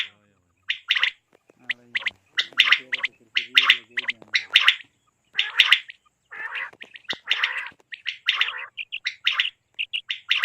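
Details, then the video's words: Quail giving harsh, high chirping bursts roughly once a second, some rattling and gargled, in an uneven, rapid series. "بٹیر کے لیے صاف آواز،Batair k Awaz mp3 2023 l safe awaz mp3 batair l Quail Best sound"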